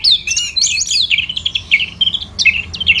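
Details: Brief burst of continuous warbling from an orange-headed thrush, Singaraja, Bali: busy, tumbling whistles and chattering notes flowing without a break, recorded in the morning to encourage other birds to sing.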